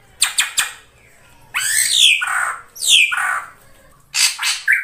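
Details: Ashy drongo in full song for a lure recording: three sharp ticks open, followed by loud, falling, scratchy slurred phrases and a closing burst of rapid clicks ending in a short whistle.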